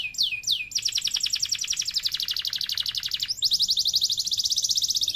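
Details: Canary in long, ornate 'gacor' song. Two quick downslurred whistles open a long, rapid, buzzy trill. After a short break, a second fast, bright, high trill follows.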